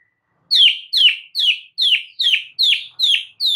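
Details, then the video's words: White-rumped shama song played so a silent bird begins singing: eight loud, harsh downslurred notes repeated evenly about every half second, with no other sounds. "99% EFEKTIF jadikan Murai BISU seketika NYAUT dalam HITUNGAN DETIK"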